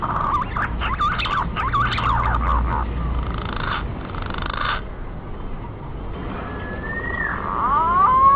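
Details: Male green pigeon lure sound, fainter: muffled warbling notes in the first seconds, a lull with hiss, then clear descending and rising whistles emerging near the end.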